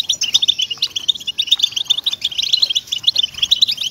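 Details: European goldfinch song played as a motivation track to stir captive goldfinches into singing: a dense, fast stream of high, tinkling twitters and liquid chirps running without pause through the whole stretch.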